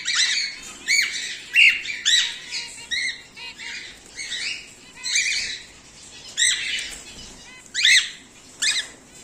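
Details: Home-bred whiteface emerald and exhibition grey male cockatiels give a steady series of short, sharp, downward-bending squawks, roughly one per second, with faint wing flutters between.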